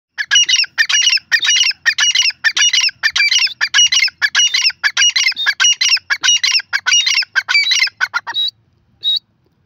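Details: Grey francolin (teetar) calling, a loud harsh squawking phrase repeated in rapid succession, roughly one and a half notes per second for about eight seconds, then two isolated shorter notes before silence.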